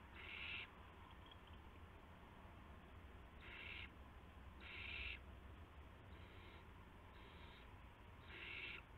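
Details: Owls during late-night prey deliveries to owlets on March 19, 2016. A series of harsh, noisy hisses of about half a second each, spaced unevenly several seconds apart, with a constant low background hum.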